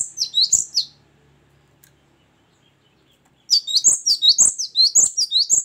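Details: Great tit singing loudly and often in the open, clear style called ngeplong and gacor: a short burst of high two-note phrases, a pause of silence, then a steady run of repeated whistled high-then-lower notes.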